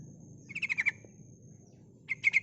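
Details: Sooty-headed bulbul female calling to lure males: two short bursts of rapid chattering notes near the middle and end, each a quick rattled series, over a steady high whine and low background hum.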